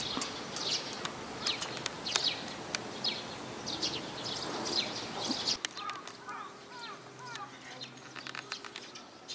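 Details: Sparrows arriving to be fed, 3 May 2022 on the outbound walk: quick high chirps repeated irregularly, then after an abrupt cut a quieter stretch of softer, downslurred chirping notes over faint background noise.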